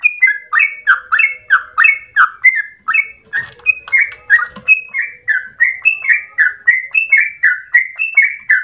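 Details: Yellow-vented bulbul in long, rapid, chatty ropel song said to sound like a straw-headed bulbul: fast runs of short warbled notes, each dropping in pitch, about three per second, briefly broken mid-clip by low thumps.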